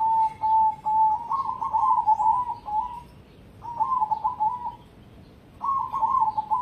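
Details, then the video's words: Cemani zebra dove of competition grade, cooing: mellow, warbling coo phrases around three seconds long, each rolling and slightly trilled, separated by short pauses, with a steady low background hum. "Perkutut Cemani Spek Lomba"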